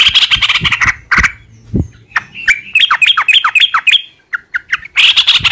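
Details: Yellow-vented bulbul song used as a lure to draw replies from other bulbuls: harsh bursts, then a quick run of bubbly, slurred whistled notes falling in pitch, ending in a rough rattle.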